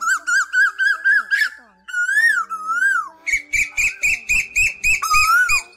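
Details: Asian koel calls from male and female, used in August 2024 to lure migrating birds into night nets: quick repeated whistled notes, then long sliding whistles, then a fast regular series of sharp notes with a dull knocking beneath.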